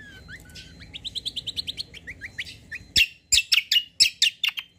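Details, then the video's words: White-eye song for luring other birds to respond: a sliding whistle, then a quick series of high rising chirps, followed by louder sharp broadband chips spaced roughly every third of a second. "KECIAL KOMBO BAHAN LANGSUNG NYAUT"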